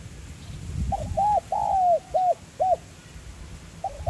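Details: Spotted dove with a 'giọng son' voice calling to stimulate a decoy: a phrase of short hooked notes, a long level coo and further clipped notes, then a new phrase starting, over a soft low rumble.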